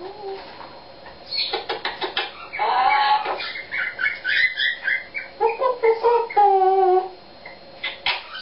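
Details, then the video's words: Pet Eclectus parrot singing one of its own made-up songs: a lively run of varied harmonic notes, clicks and warbled phrases, some rising and falling whistled tones, steady and dense for about six seconds before trailing off. "singing eclectus"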